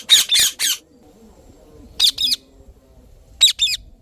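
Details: Indian ringneck parrot chirping: a quick run of three harsh, rasping screeches, then two more double screeches after pauses, each sharp and broadband, over a quiet background with faint low hum.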